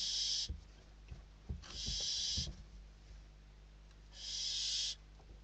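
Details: Barn owl chicks in their nest in Spain competing for a delivered bird, the eldest prevailing; three long rasping hiss-screeches separated by scuffling knocks and quieter pauses.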